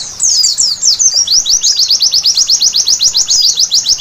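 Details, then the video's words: At night a white-eye opens with a few tangled high twitters, then settles into a steady, rapid train of sharp downslurred notes repeated about five times per second. "Terapi Pleci Malam Hari Bikin Gacor seketika!!!"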